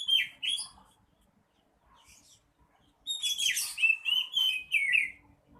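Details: Oriental magpie-robin in vigorous song: two sharp whistled notes, a pause, then a rapid, loud sequence of high, twittering whistles and scratchy trills lasting about two seconds.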